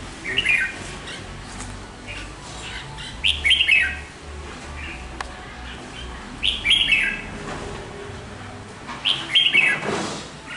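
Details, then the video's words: Red-whiskered bulbul from Hoà Bình, kept more than two seasons, repeating a short slurred whistled phrase about every three seconds over steady low background hum and noise. "Chào Mào Mộc Hơn 2 Vụ Bộ Đẹp Gấu Chim Giọng Rất Hay Gốc Hoà Bình"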